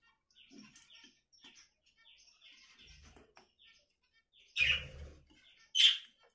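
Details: Budgerigar making a string of faint, soft chirps and short descending notes, followed by two sudden loud, harsh calls over a second apart, with one low thud.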